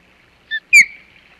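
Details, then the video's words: An osprey at its Hog Island nest, 27 July 2020, alarmed by an intruder, gives a short clipped note then one sharp, loud downslurred whistle trailing off. "Intruder Alert - Hog Island Osprey Nest"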